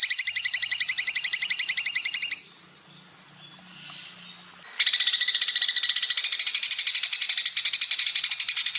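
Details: Full burst song of a greater green leafbird used to tutor other songbirds: a rapid high trill, a quiet gap of about two seconds, then a dense, loud, fast chattering trill continuing to the end.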